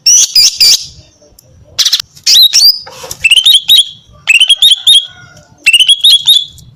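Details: Singing hard to lure males, a female greater green leafbird mixes buzzy chirps with repeated trilled phrases of rapid stuttering notes, each phrase about a second long.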